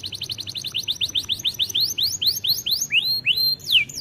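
A canary sings a fast trill of bright rising notes that slows into longer upward slurs.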